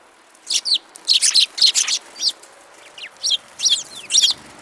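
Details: Spirited sparrows calling close by: bright, buzzy chirps in quick groups of two or three, bursts spaced roughly every half second, against a quiet background.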